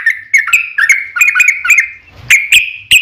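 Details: Long-trill lure song of a yellow-vented bulbul, fast chirpy whistled notes for two seconds, then a brief rustle and a few separated sharp notes.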